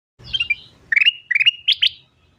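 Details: Golden-fronted leafbird in full fast song, with sharp clipped whistles, then bright chattering phrases linked by a thin level whistle, ending in two emphatic high notes.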